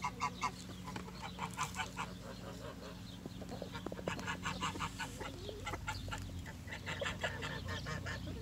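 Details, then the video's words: Farm geese living alongside chickens in spring, calling in bursts of rapid nasal honks that come in clusters with short pauses, over a constant low drone and scattered clucking. "Goose Sounds"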